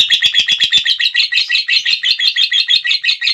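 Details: Lovebird delivering a long ngekek trill: an unbroken stream of fast, high, chattering notes, several a second, holding steady pitch from start to finish.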